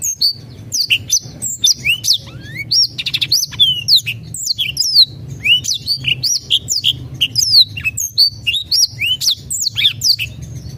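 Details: Black-throated canary singing a fast, continuous run of high twittering trills and sweeping whistled notes over a faint low hum, a lure song meant to trigger reluctant birds into singing.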